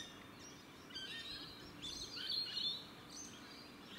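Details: Evening calls of Australian rainbow lorikeets, filmed on a 4K camcorder; rasping, shrill chatter swelling mid-clip over a hissing background.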